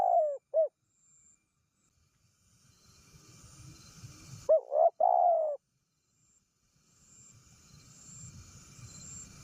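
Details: Spotted dove call for luring wild doves: two short hollow coos open the clip, then a quiet stretch with low rumble and faint hiss before a clustered three-note coo phrase, followed by more background rumble.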